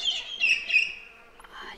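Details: Parrots call around a campsite on the south-western coast of Australia, near 6 pm while camp is set up. Bright, high, slurred chirps come in short bursts, then fade into softer, thinner notes.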